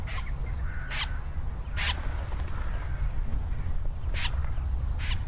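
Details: Wilson's Snipe in California giving its distinctive screechy flushing or escape call: short, harsh notes, four spaced about a second apart, over a steady low rumble.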